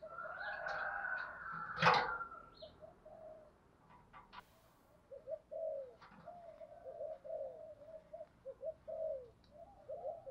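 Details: Decoy spotted dove calling to attract wild doves, a run of soft low coos after a loud clatter and brief higher sounds, the cooing continuing in rhythmic groups.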